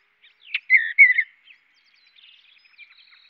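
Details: Chirping mountain bluebird: a quick sharp tick, then two mellow burry whistles that slur downward, followed by faint, rapid twittering notes trailing off; background otherwise quiet.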